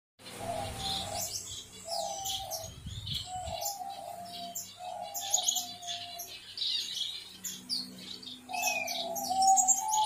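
Gouldian finch chicks give a dense, rapid flurry of high, scratchy chirps, over a steady low whining tone and some soft rumbling at the start.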